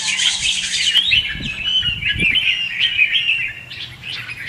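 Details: Bulbul decoy song for trapping and training red-whiskered bulbuls: a high hissy rush opens, then steady chattering warbles with a few soft low knocks in the background.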